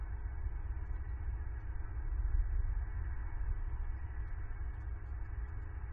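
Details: Heavy low rumble like wind or machinery under faint hum, no animal calls.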